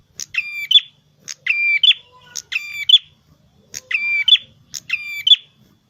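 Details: Red-headed prinia in vigorous gacor song: five phrases, each a crisp click followed by a nasal buzzing note and a short bright upturned chirp, spaced about a second apart with near silence between.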